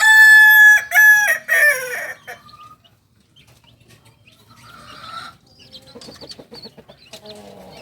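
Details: Kokok Balenggek chick, two months old, an eager crower of the singing breed from Solok, West Sumatra. A rich, harmonic crow in three stepped notes lasts about two seconds, then soft scattered sounds follow.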